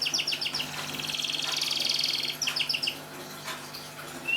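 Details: Canary in Semarang singing to encourage silent canaries to sing, heard more faintly over background hiss and a low hum: short staccato paired notes, a soft trill, more clipped notes and a rising whistle at the end.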